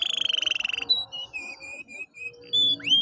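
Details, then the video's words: Canary song meant to rouse a quiet canary: a fast buzzy trill, then steady whistled tones and a final upward sweep. "pancingan kenari malas bunyi/agar gacor lagi"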